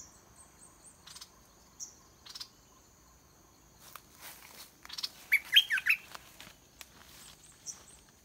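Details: Red-whiskered bulbul, a caged decoy singing to lure a wild bird down to fight; a short burst of loud, warbled, rising and falling notes mid-way, scattered brief chirps and clicks around it, over a thin steady high whine.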